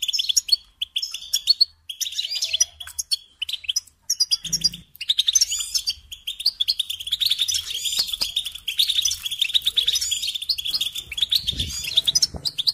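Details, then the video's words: European goldfinch song played to train young songbirds to sing: fast twittering, tinkling phrases of high notes running almost without pause, with a few brief low thumps. "Teaching Singing Lessons Through Goldfinch Motives"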